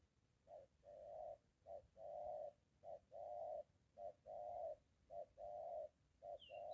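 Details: Spotted dove near a home, with a molting decoy bird meeting a wild one; short-long paired coos repeated steadily, low and hollow, with a few thin high chirps from another bird at the end.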